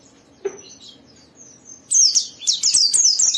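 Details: Indonesian white-eye gacor song as a singing lure for other white-eyes: a soft click and faint high notes, then a sudden loud rush of piercing, rapidly tumbling twitters.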